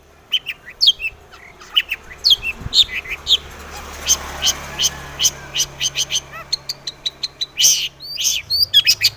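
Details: Singing long-tailed shrike used to draw song from other shrikes: sharp squeaky notes and quick chip series over a steady background hiss, growing louder and busier toward the end.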